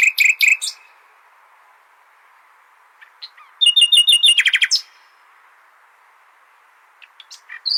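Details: Common nightingale song as a model for goldfinches: a brief loud burst of repeated notes, quiet, then a fast rhythmic series of stuttering repeated notes, ending with scattered soft notes and a short whistle.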